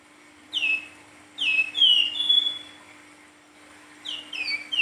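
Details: Silver-eared mesia in full flute-like nyuling song, short clusters of two or three downslurred whistles separated by a second or more of quiet, one note drawn out flat, faint hum underneath.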